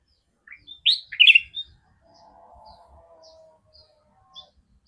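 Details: Sooty-headed bulbul with a strange voice: a loud, abrupt cluster of rich, bubbling notes near the start, followed by a faint, steady whine and a few isolated high ticks in a quiet setting.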